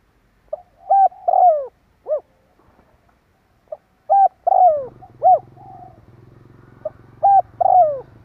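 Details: Spotted dove lure call. Three repeated phrases of a short lead note, level coo, long falling coo and rounded end coo, roughly every three seconds. A low engine hum enters midway.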